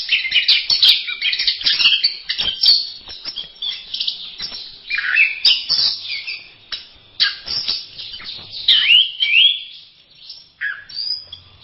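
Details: Orange-headed thrush in a longer master song passage for tutoring birds: dense, tumbling medley of chirps, trills and mimic-like phrases, rising and falling in bursts with short quieter breaks, bird voice dominant throughout.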